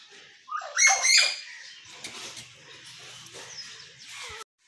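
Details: Common hill myna talking, with one loud, bright, shrill phrase lasting under a second, followed by faint low chatter and a quiet background hum.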